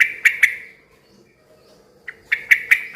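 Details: Yellow-vented bulbul in lively song meant to draw answers from other bulbuls; a pair of sharp ringing notes, a short silence, then four quick bright notes.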